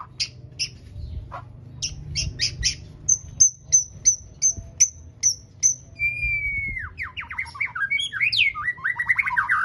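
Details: White-rumped shama, known locally as murai batu, singing loudly: a few sharp chips, then a run of about eight clear, high whistled notes at an even pace, followed by a rich, varied phrase of slurred whistles and rapid trills.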